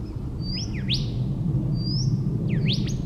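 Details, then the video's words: Golden whistler singing twice in Daisy Forest, Queensland, Australia: a rising clear whistle that snaps into quick whip-like sweeps. The phrase repeats after about one and a half seconds over a steady low rumble. "Golden Whistler.song call"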